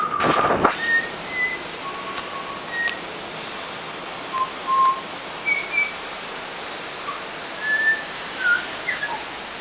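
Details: Juvenile Australian butcherbird learning to sing: short pure whistled notes around mid pitch, scattered through the recording with gaps, some brief and faint, over a steady background hiss.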